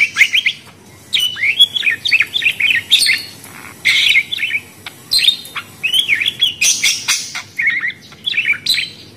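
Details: Budgerigars chattering in quick, scratchy warbled phrases with short whistled twitters, delivered in repeated bursts separated by brief pauses.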